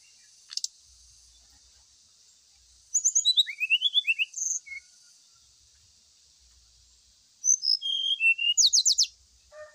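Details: Lure song of a brown-chested jungle flycatcher, played during morning-dew airing to coax singing: two bursts of sweet, high, slurred whistles falling in steps, separated by several seconds of quiet, ending in a fast trill.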